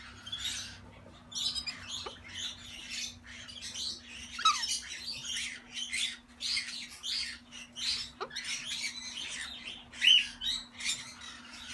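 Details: An indoor pair of lutino galahs gives harsh, grating screeches in rapid, overlapping bursts over a steady low hum.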